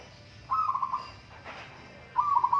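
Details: Local zebra dove competing in a song contest, giving two short rippling coo trills at steady mid pitch about one and a half seconds apart, with a brief rustle between them.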